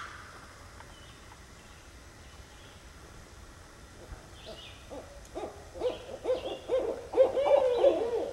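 Barred owl: after a quiet start, a burst of deep, rapid hoots that grow louder and more emphatic toward the end.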